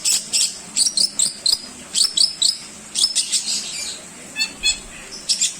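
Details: Long-tailed shrike singing as a training model for other cage songbirds: clusters of high, squeaky chips in short phrases, then softer, thinner notes before a final burst.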